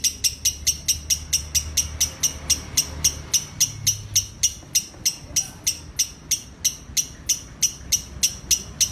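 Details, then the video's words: Lovebird giving its ngekek call, a long chattering performance: sharp high clicking notes repeated steadily about three to four times a second, over faint low background rumble. "Love Bird ngekek 2 menit"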